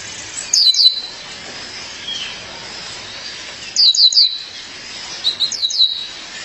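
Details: [1, 'likely', 'call', 'Female violaceous euphonia calling her mate: three bright clusters of short, high, down-slurred chirps at about 0.6, 4 and 5.7 seconds, with a soft continuous background hiss between bursts.']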